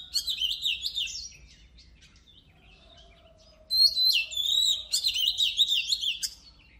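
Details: Oriental magpie-robin song used to stimulate birds for singing competitions: two bursts of rich, fast, warbled and whistled phrases with rapid high trills, separated by a pause where a faint low steady whistle is heard.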